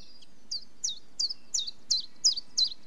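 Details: Common chiffchaff song: about eight clear, high, downward-sliding notes repeated evenly at close to three per second, steady and unhurried against a quiet background.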